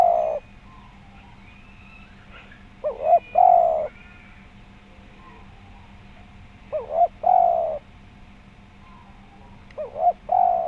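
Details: Tekukur, a spotted dove, used as a calling lure: coo phrases recur about every four seconds, each a brief rising note followed by a longer wavering coo, with a background hum and faint higher overtones.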